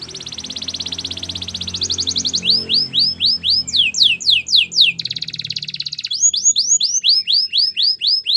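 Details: White canary training song: an extended high buzzy trill, then brisk swept whistles, another trill and more looping sweeps, with a soft low background hum throughout.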